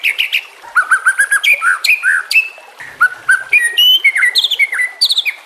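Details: Master song of a white-rumped shama, meant to train other shamas and set over flowing water: clear whistled notes in quick groups, stepping up and down, with some buzzy trills.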